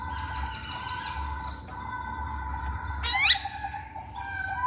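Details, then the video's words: Masked laughingthrush singing in a lure recording for coaxing males to sing: sustained harmonic whistled tones, then a sudden sharp rising squeal and a burst of rapid notes near the end, low hum throughout. "Poksay Hongkong Jantan Manapun Pasti Nyaut Saat Dengar Pancingan ini"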